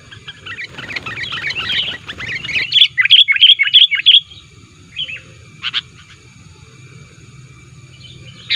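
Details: Sooty-headed bulbul lure call, described as aggressively pressing rivals: rough chattering at first, then a quick series of bright, clipped chirps and a couple of isolated sharp notes before quiet.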